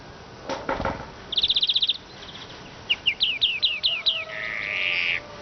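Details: An even, rapid trill gives way to a string of downward-slurred chirps and finally a long, harsh buzzing wheeze in this siskin song.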